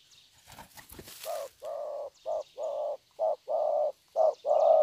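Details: Young wild-caught spotted dove singing in the 'thổ' cooing style: after a burst of rustling noise, low hollow coos begin, alternating short and longer notes about once a second, with faint high chirps behind.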